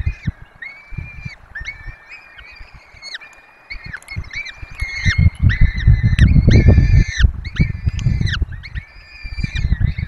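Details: Peregrine falcons feeding their four chicks at a nest in the Barycz Valley, filmed by webcam. Rapid series of short, harmonic wailing notes, several per second, with thumping and rustling underneath.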